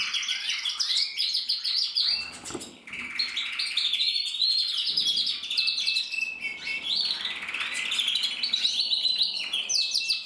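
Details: Singing male canary, red-black with a crest, bred 2024: steady chattering trills and rattling phrases, briefly softer near the middle before resuming a dense warble.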